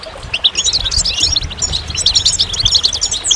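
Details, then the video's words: Quick, chattering goldfinch song of sparkling high notes and twisting trills, tumbling without pause and rising to a sweeping note at the close. "Magical Goldfinch Songs"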